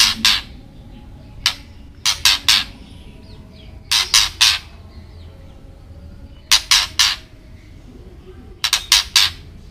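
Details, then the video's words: Ketrekan call of a white-rumped shama, played to stir other birds into agitation; loud grating bursts of two to four scratchy notes, separated by pauses of one to two seconds over a quiet background. "Ketrekan Murai Batu Agar Emosi"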